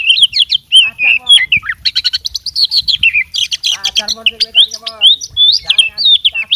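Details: Fighting oriental magpie-robin pouring out its full mimicry repertoire in lively, persistent song: rapid, varied whistles, chips and slurred notes, high and bright, tumbling without pause over a faint low background hum.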